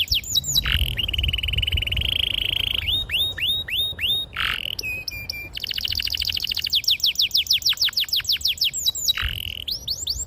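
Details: Canary singing a long rolling tutor song for young canaries: hooked whistles, a sustained buzzy roll, clipped metallic notes, then a very fast even trill and falling whistled slurs.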